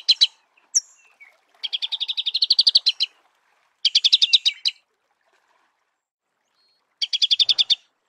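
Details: Marico sunbird in natural habitat giving rapid chattering trills of sharp notes around the upper-middle register, three bursts about a second long separated by short pauses, with a few thin high chips between; no other sounds.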